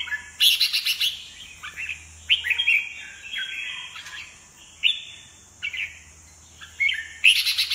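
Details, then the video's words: Red-whiskered bulbul delivering an assertive, overpowering song with wing-flaring and perch-hopping: rapid, chattering bursts of sharp high notes alternating with clear slurred whistles, beneath a steady high insect-like hiss and a low hum. "chào mào siêu lân , sàn cầu , xòe cánh ruồi ché đè"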